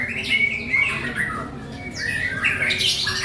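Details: White-rumped shama giving short whistled slurs and harsh notes, a pause midway, then renewed rising phrases and scratchy chatter.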